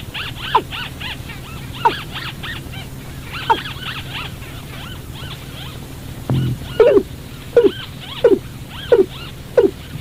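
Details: Calls of a watercock, played to lure birds into traps at night. Scattered falling notes over a background of arched chattering calls, then a louder run of abrupt dropping notes about every half second after a brief thump.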